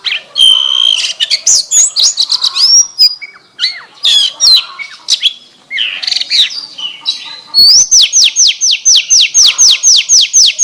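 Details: Oriental magpie-robin song with canary phrases: varied whistles, chips and a long steady note, then switching to a rapid, regular train of down-slurred whistles, about four per second.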